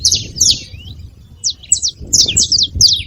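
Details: Saffron finch at a feeding spot: pairs and short clusters of high, bright, downslurred chirps separated by brief gaps, with a low background rumble.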